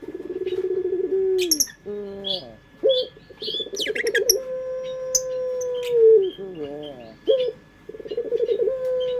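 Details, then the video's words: Pelung-style coo of a local Indonesian dove, used to lure birds. Throaty pulsed phrases lead into a long, level, hollow note that dips at its close, followed by more stuttering coos. Sharp high chirps of other birds break in. "Suara Burung Puter pelung paling dicari bersuara merdu"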